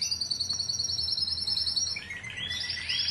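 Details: Timbrado canary song, 2009 team line: a long high even bubbling trill, then a brief pause and a lower rolling phrase rising back to a bright high trill.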